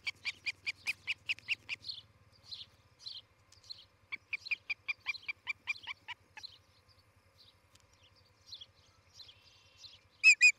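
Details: Osprey at a nest cam in Charlo, Montana, on the morning of July 11, 2018, where a pair is nesting. Rapid run of sharp, harmonic chirps, then scattered softer notes and a final loud pair of yelps.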